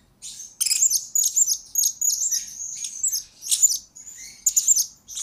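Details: Lure-bird blue-crowned hanging parrot singing for a tutor recording meant to train future lure birds: almost continuous high, sibilant twittering with sharp squeaks and a faint lower whistle near the end.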